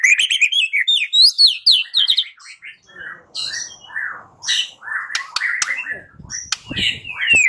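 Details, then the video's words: White-rumped shama song used as a lure so a bird answers and sings: a long, varied stream of high whistles, slurred phrases and sharp clicks, with some scratchy notes mixed in. "Pancingan Murai batu"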